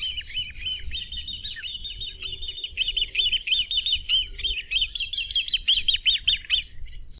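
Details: Great crested grebe producing a continuous string of rapid high piping notes, almost running together into a chattering series, with a faint low rumble of background noise beneath.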